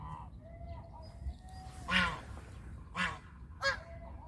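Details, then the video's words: Loud, grating honks from a country goose, three main blasts in the last half of the clip, preceded by quieter thin tonal notes. "The sounds of Country goose call is relaxing"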